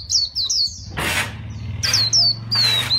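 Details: White-eye of the fighting (đấu) type singing in chòe style: a few bright, high slurred notes, then loud noisy bursts between short twittering phrases over a steady low drone.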